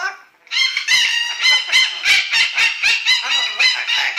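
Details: A pet yellow-naped amazon practises singing the song "Little Apple" while dogs protest: rapid, rich, nasal syllables, about three or four per second, loud and steady after a brief quiet start.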